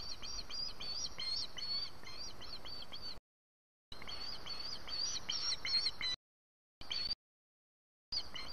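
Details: ['Osprey begging for food on 4 September 2017: a rapid run of thin, high-pitched cheeping notes, irregularly spaced and slightly buzzy, with constant low background noise.']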